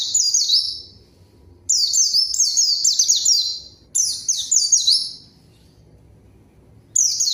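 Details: White-eye singing energetically to provoke a rival into answering: clusters of shrill, sliding, downward-swept whistles in quick succession, several dense phrases then a pause of about two seconds before another burst, over a quiet low hum.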